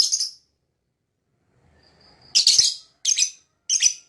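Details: Lovebird making a few loud, buzzy, high chirps separated by short silences, with a faint thin whistle just before the later notes.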